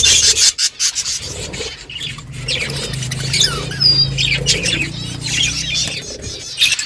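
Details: Budgerigar flock in the morning, birds chirping to each other: dense, overlapping high warbles and squeaky chirps run continuously, with a faint low hum underneath.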